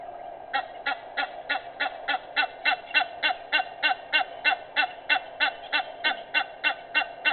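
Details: Egyptian goose, recorded 18 May 2019 at 06:25, honking in a rapid, rhythmic chain of gruff notes, about three per second, starting after a half-second pause and continuing throughout.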